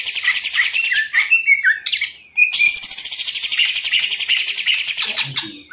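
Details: Caged green leafbird, a hobby and contest bird in Indonesia, pours out a fast, varied song of sweet whistled phrases and chattering notes, with sliding and buzzy trills mixed in, loud and continuous throughout.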